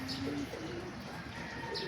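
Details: Newly acquired racing pigeons, several birds kept together: a low, steady cooing tone held for about half a second at the start, followed by faint short low notes, over constant background hiss and a thin high whistle.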